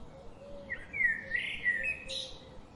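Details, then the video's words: A bird chirps in one lively phrase: sliding whistled notes that climb and wobble, ending in a brief higher flourish, over a faint, steady background hum. "birds chirping sound"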